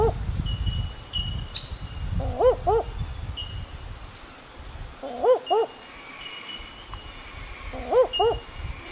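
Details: Barking owl, a nocturnal bird, giving low doubled woofing notes, dog-like, in three paired bursts roughly every three seconds, over a low rumble with faint thin whistles of other birds.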